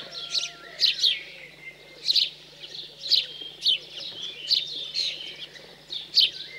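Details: Fed after fledging, house sparrows in the cold countryside of central France on 15 June 2020 give loud rasping chirps, some doubled, at roughly one-second intervals, over soft lower whistles.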